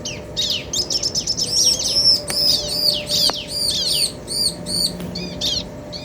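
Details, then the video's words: Bar-winged prinia pair, male and female, calling back and forth: quick chips build into long runs of high, arched whistled notes about two to three per second, over a low hum. "Suara Ciblek Jantan dan Betina Saling Bersahutan - Bikin Ciblek Lain Emosi & Gacor"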